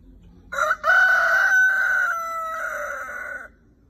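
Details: Red rooster giving a long crow: a sharp opening note, then a sustained, strained, slightly falling cry lasting about three seconds before it cuts off.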